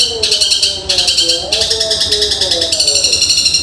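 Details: Long-tailed shrike (cendet) in fast, tightly packed 'tembakan gereja' song likened to a woodpecker: dense buzzy pulsed trills in bursts of about half a second to a second, over lower wavering tones.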